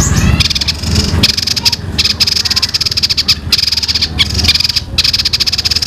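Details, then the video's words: Sparrow-fight-like chatter from a young songbird: long, tight rolls of fast, high, buzzy rattling, interrupted by a few short breaks, over low noise. "suara burung ini mirip gereja tarung full ngeroll panjang rapet"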